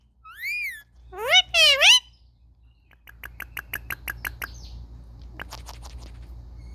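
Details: Pet Indian ringneck parakeets at play, phone-recorded: three wavering, harmonic screeches in quick succession, followed by a fast, regular series of dry ticks, about four per second, fading into softer chatter.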